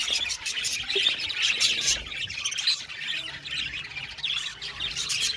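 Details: Colony of budgies in an aviary, a constant busy chorus of high squeaky chirps, warbles and occasional harsher squawks from many birds at once.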